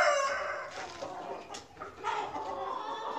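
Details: On a farm with Australorp chickens, the tail end of a rooster crow fades out in the first moment, then hens keep up a busy, overlapping clucking with a brief sharp click partway through.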